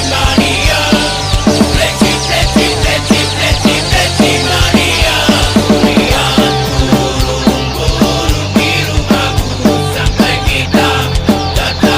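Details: Loud rock music with a driving drum beat and distorted guitars plays throughout, with no animal voices heard.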